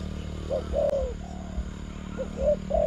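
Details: Spotted dove at a trapping contest with a decoy: a few short mellow coos, fairly faint, set against a steady low hum.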